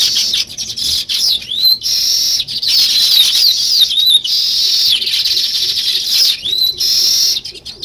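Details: Natural chirping of sparrows, also called weaver birds: a dense flock chorus of high, bright chirps and sweeping whistled notes, overlapping almost continuously, with brief gaps where the sound drops away.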